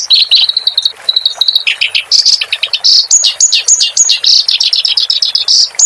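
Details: Clamorous reed warbler song used as a master recording for training cage birds: fast, chattering run of sharp, high notes, some held briefly, varied and nearly continuous, over faint steady background hiss.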